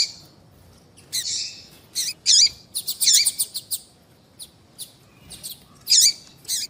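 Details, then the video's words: Papa-capim (seedeater) female call for warming up singing males: a buzzy note followed by loud high chirps with down-curving ends, scattered faint ticks, and a final strong chirp. "Piado de fêmea de papa capim vai deixar seu papa capim cantando Muito RÁPIDO !"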